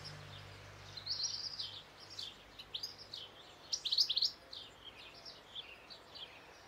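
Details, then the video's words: European goldfinch singing: a lively run of high, twittering, tinkling notes in quick bursts, with short pauses between phrases and a steady faint hum underneath. "European goldfinch (Carduelis carduelis) singing"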